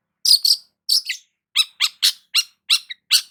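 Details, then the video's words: In morning sunshine, a long-tailed shrike gives about a dozen loud, harsh, high chirps, some doubled, in an uneven rhythm over roughly three seconds. "KICAUAN BURUNG CENDET SAAT BERJEMUR DI PAGI HARI"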